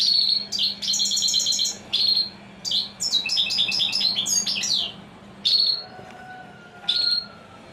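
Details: European Goldfinch, hailed as royal and unbeatable, singing a long varied phrase: ringing buzzy trills, rapid tinkling twitters and clear sliding whistles in bursts separated by short pauses, over a soft low hum.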